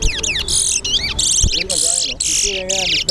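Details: A Chestnut-bellied seed finch (towa towa) in a singing race at Lusignan bird ground, Guyana, pours out a fast, bright warbling song of high twittered and whistled phrases with hardly a pause, while voices count its rounds.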